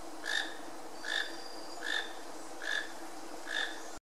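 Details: A toco toucan calling in Iguazu National Park, north-eastern Argentina, gives short croaking notes, five in a row, evenly spaced under a second apart, over a steady low background hum.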